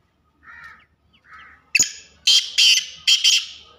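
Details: Black francolin, a female with chicks, in forest; a few soft low notes, then loud harsh rasping calls in quick bursts, the last four close together.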